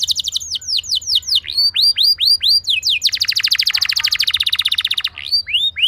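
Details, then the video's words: Canary singing to draw other canaries into song: a series of falling, then rising whistled slurs, followed by a long, fast, even pulsed roll and closing upward sweeps. "Burung Kenari Lain Bakal Langsung Ikut Gacor Ngerol Mewah Dengan Pancingan"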